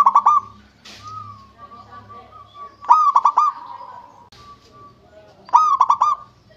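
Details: Zebra dove of local stock singing: fast bubbling, trilled cooing bursts recurring roughly every two and a half seconds, linked by a soft steady coo and faint background rustle.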